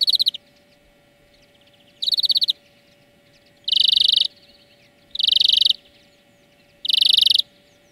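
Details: Greenfinch singing for a bird training lesson, loud rattling trilled bursts of about half a second, repeated roughly every one and a half seconds, five in a row over a steady low hum.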